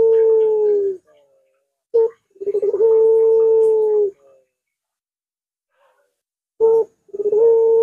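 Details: A puter dove gives its long arching voice as a training and lure recording. Steady drawn-out hoots are each introduced by a short sharp note and a rolling burble, with silent gaps between phrases.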